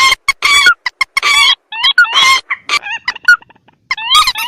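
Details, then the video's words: Lure recording of mandar or tikusan rails, Indonesian rice-field and swamp birds: loud harsh squawks in short bursts alternating with quick downslurred and upslurred nasal notes, repeated in irregular rapid series. "Suara pikat burung mandar atau pelan vs tikusan"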